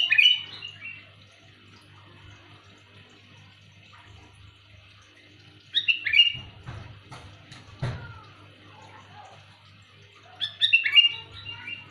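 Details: Sooty-headed bulbul calling loudly and clearly, a call suited to luring: bubbly chirped phrases repeated about every five seconds, with knocking sounds between them and a low steady hum.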